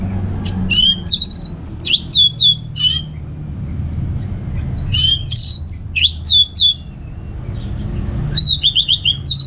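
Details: Orange-headed thrush (anis merah) singing in a relaxed 'ngeplong' style: bursts of varied, high, sharp whistled and buzzy phrases with rapid trills, in three groups separated by brief pauses, over low steady rumble.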